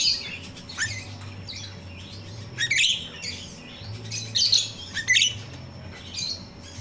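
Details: Myna (jalak Rio-Rio) singing in the wild, a recording meant to lure captive birds: scratchy, buzzy high phrases in clusters, separated by pauses over a constant low hum.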